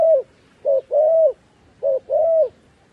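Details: Decoy dove calling to lure wild doves down to a trap: low, hollow coos, a short note followed by a longer drawn-out one, the pair given twice with brief pauses, and nothing else audible.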